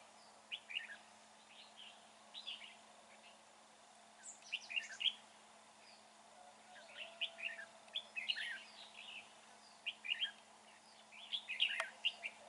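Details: Red-whiskered bulbul in a fighting trap during dark, overcast weather, delivering a steady series of brief liquid chirped phrases, roughly one every second, rising in activity toward the end.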